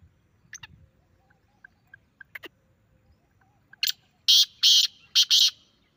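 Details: Grey francolin calling sound, played to get captive birds to call back: faint scattered ticks and chirps early, then a loud harsh series of four broad shrill bursts in quick succession toward the end.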